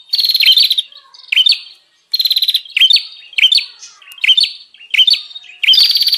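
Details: Used to lure wild birds, a bar-winged prinia gives repeated phrases of buzzy rattles ending in sharp upslurred chips, about one phrase per second, separated by short pauses.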